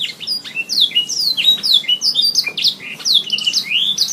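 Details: Canary in steady song from a tutor recording for pet birds: dense sequence of sharp chirps, slurred whistles and buzzy rolls, several notes per second throughout.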